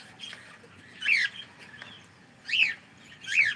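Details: A pet cockatiel, claimed to say good morning, utters three loud downslurred squawks spaced about a second apart, with quieter chatter between them in a quiet room.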